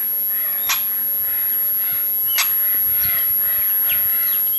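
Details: Crested oropendola, known in Brazil as japu, a weaver bird that builds bag-shaped nests; two sharp, broadband clacking snaps about 1.7 seconds apart, with softer liquid, slurred notes and short downward whistles between them over steady background hiss.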